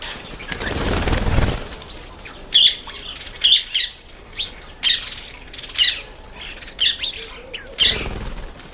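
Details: Red-faced mousebirds, ten together in a birdbath, with a rush of wings or splashing at the start, then short sharp high chips repeated roughly once a second.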